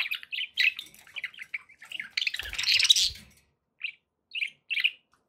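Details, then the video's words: Pet budgerigars chirping happily indoors: bursts of warbling, chattering notes run together for over three seconds, then short separate chirps spaced about half a second apart. "happy budgie sounds"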